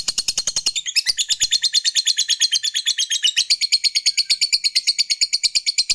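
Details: Lovebird fighter's long ngekek chatter, used as a lure to provoke rival males: rapid harsh high chattering notes repeated about three times a second, steady and continuous, with faint clicks underneath.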